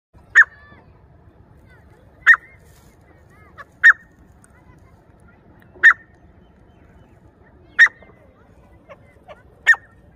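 A Grey Francolin gives loud, harsh, clipped notes, six in ten seconds, each sharp burst about two seconds apart over a quiet background.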